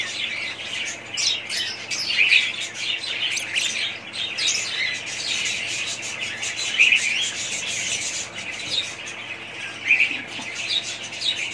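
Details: Budgerigars of one family group keep up lively high-pitched warbling and chirping, with short bright whistled notes popping out roughly every four to five seconds through the continuous chatter.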